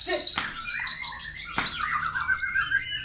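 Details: White-rumped shama morning song meant to provoke rivals: steady high tonal whistles, two sharp clicks, then a burst of quick pulsing notes that rise and fall in a fast rhythm.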